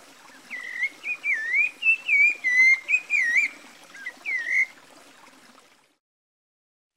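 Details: Rufous-bellied Thrush (Turdus rufiventris) of Brazil singing a melodious phrase. Fluty looping whistles run for about four seconds and fade into silence, followed by a sharp click at the end.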